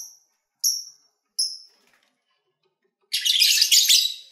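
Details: Pet lovebirds, recorded in February during feeding and play, give three short, clear, high whistled notes evenly spaced, then break into a burst of dense, harsh chattering.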